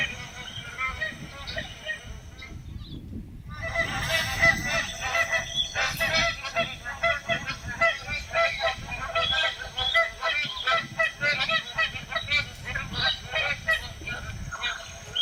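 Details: Magpie goose flock giving a dense, continuous chorus of loud nasal honks that overlap throughout, with a short lull near three seconds and a steady low rumble of background noise underneath.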